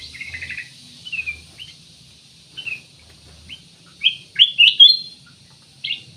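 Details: Black-naped oriole song used as a lure for other birds: sparse short whistled notes at first, then a loud cluster of sharp chirps and slurs after four seconds, with a final burst at the end.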